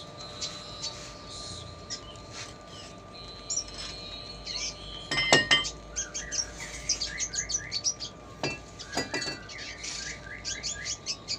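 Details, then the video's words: Red siskin tutor recording of a diligent singer: a busy, high twittering of quick chirps and buzzy trills over a faint steady hum and a couple of sharp clicks. "MASTERAN RED SISKIN PASTOL RAJIN BUNYI"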